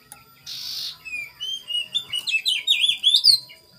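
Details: Sirtu lure song played in the morning to provoke and draw out rivals: a brisk run of varied high whistled and slurred notes, rising and dipping, following a short burst of hissing noise.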